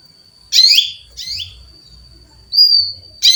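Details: Calling female canary seeking a male: two loud raspy chirps, then a short rising whistle and another chirp cut off at the end, over a constant thin high tone.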